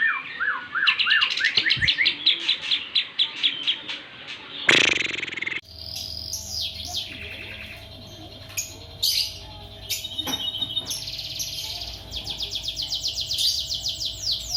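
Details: Lovebird in Bandung trained to sing with kapas tembak and jenggot fills, delivering falling chirped trills, a sudden harsh burst, then sweeping whistles and fast repeated high chips in long rhythmic series over a faint steady hum.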